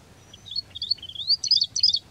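A rufous-fronted prinia sings a quick run of high, thin twittering notes, rising and buzzy, bunched in short bursts over about two seconds.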